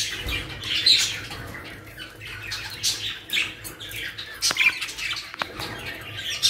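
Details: Caged budgerigars in Pakistan, part of a new bird collection, make sharp, high squawks and scratchy chirps over a steady background chatter, with a few clicks and knocks near the end.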